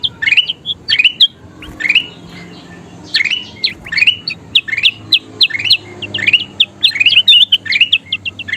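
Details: A kutilang emas bulbul delivers a busy song for training songbirds: clusters of rising chirped notes, a short pause near the middle, then a denser run of bright chirps and high ticks.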